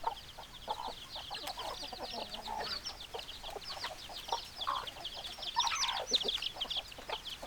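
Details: Many chickens, hens and roosters, calling together: rapid clipped clucks and thin high peeps in a continuous busy chorus, a louder burst of sharp notes near the end.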